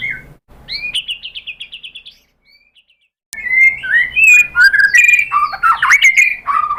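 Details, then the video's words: White-rumped shama song for provoking other shamas: a short slurred note and a fast high trill, near silence, then a dense outburst of varied whistles and buzzy, tumbling phrases. "pancingan jitu !!! bikin MURAI BATU NYAUT BONGKAR MATERI TEMBAKAN ¦ PANCINGAN MURAI ¦ SHAMA BIRD"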